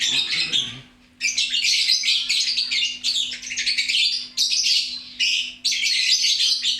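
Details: Loud, busy lovebird chatter: rapid grating high squeaks in phrases of one to two seconds, beginning after a brief lower rustle.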